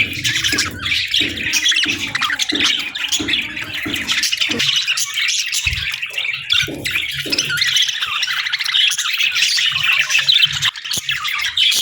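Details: Peaceful-morning budgie flock: sustained, overlapping twitters, squeaks and warbles that run without a break, over faint low knocks and a soft background hum.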